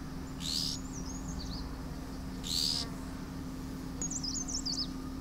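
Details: Dark grey bush chat (Saxicola ferreus) chicks in a nest inside a wild daisy patch in Landour-Mussoorie, Uttarakhand, beg with two harsh, hissing bursts as the female brings a caterpillar, between thin, high, wavering whistles, over a low hum.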